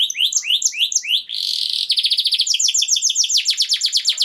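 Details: Canary song played to prepare female canaries for mating: bouncy repeated sweeping notes, a harsh buzzing burst, then a fast rolling trill of descending syllables.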